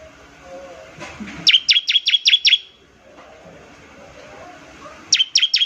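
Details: A bar-winged prinia gives a ngebren trill intended to trigger other prinias to sing. A run of six sharp, high, slightly uneven notes comes first, then a pause with faint background sound, then three more notes.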